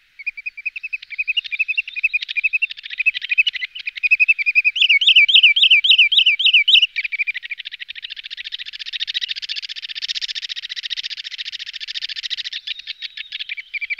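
A wood sandpiper gives fast, high, repeated whistled notes, about four a second, rising into sharp yelping phrases and then a dense rapid trill.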